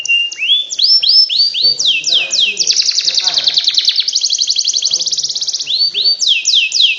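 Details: Canary singing to encourage lazy canaries to sing continuously: rising whistled swoops, a loud fast rolling trill, then more looping swoops, with faint low background voices.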